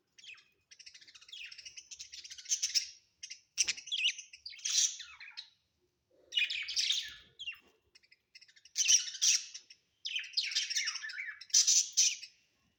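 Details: Caged budgies at home keep up busy, scratchy warbling chatter, a run of clicks, rasps and buzzy notes broken into bursts of one to two seconds by short pauses.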